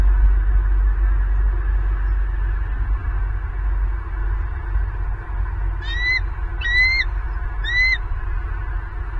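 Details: Wild bald eagle calling at its nest in Southwest Florida, captured by a fixed nest cam on 24 November 2022: three thin, rising whistled notes spaced about a second apart late in the clip, against constant low wind noise.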